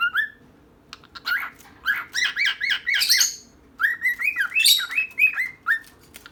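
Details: Female and male pet birds calling together: a dense run of bright, bending whistled notes with harsher squawky overtones, a short quiet gap, then another string of falling chirps, all close and clear.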